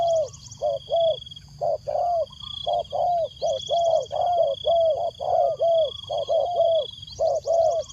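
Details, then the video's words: Spotted dove decoy cooing to draw in wild doves, dense series of soft two-part coos about once a second, faint high squeaky chirps at times, over a constant electronic hum. "chim cu mồi gáy gọi bổi"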